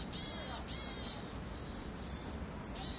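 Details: Eurasian sparrowhawk, a protected natural monument species, pair seen mating in mid-April 2021; a run of loud, grating, buzzy notes, the later ones softer, ending with a sharp high squeal and another harsh note.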